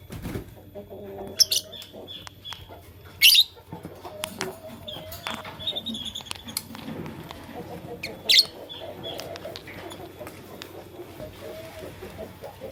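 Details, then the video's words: Fischer's and masked lovebirds in the morning: sparse soft chirps broken by three sudden, loud, shrill screeches spaced a few seconds apart. "LoveBird Chirping Sound - Lovebirds Fischer & Lovebirds Personata"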